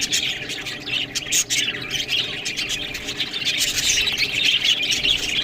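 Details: A group of budgerigars feeding on greens keeps up a constant high twittering, with scratchy squawks and squeaky chirps layered together and only a brief lull near the start.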